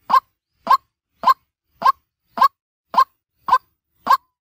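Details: Daytime lure call of a white-breasted waterhen: eight evenly spaced, clipped nasal notes, close to two per second, each a quick harsh bark with a fuller middle, with clean silence between notes.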